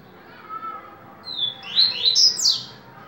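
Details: Coleiro baiano (yellow-bellied seedeater) giving its viviti song: after a quiet start, a high thin whistle leads into several quick, sweeping whistled notes that rise and fall, over steady low background noise.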